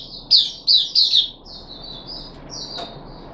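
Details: Caged puff-backed bulbul on its third day of deworming, July 2021: a few loud, high chirpy notes in quick succession, then softer thin whistled notes trailing off, in a quiet room.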